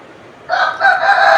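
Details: Rooster crowing in the morning on a walk to a river in Bali, the owner's own chicken crowing again; a loud, harmonic crow rising in two strong bursts, the second held to the end, with quiet background.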